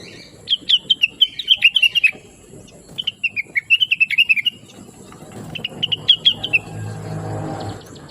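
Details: Blue-winged leafbird singing a chattering, lively song used to train other birds to sing; bursts of quick, slurred whistled notes in phrases of about one and a half seconds, separated by pauses, with low rumbling background noise.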